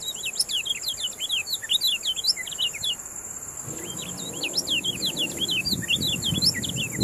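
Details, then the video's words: Yellow-bellied songbird kept as a song tutor for contest birds. Rapid high chirps and short slurred whistles tumble in quick, irregular runs, with a steady high insect-like hiss and a low rumble of background noise. "MASTERAN KECIAL KUNING MENJADI JUARA KICAU"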